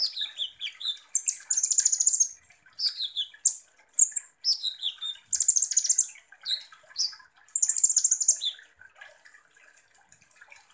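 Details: Sunbird, kolibri ninja, singing as a lure to provoke other birds. Descending chirp runs alternate with long, rapid buzzy trills, repeated in several phrases.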